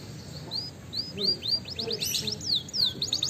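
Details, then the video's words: Canary singing as a lure to set other birds singing: quick, high whistled sweeps, some rising and some falling, delivered in uneven runs against a steady, noisy background hiss. "pancingan bunyi kenari ampuh"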